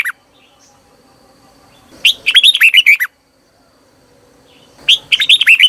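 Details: Red-whiskered bulbul singing as a decoy for wild birds: a long ringing phrase of about eight rapid slurred whistles, followed by another similar phrase after nearly two seconds.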